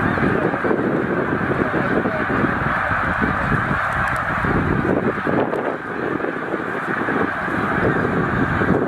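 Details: Snow geese in a migrating flock of about 100,000 at Middle Creek wildlife refuge. A constant chorus of honking is heard over heavy low rumbling noise, which dips briefly midway.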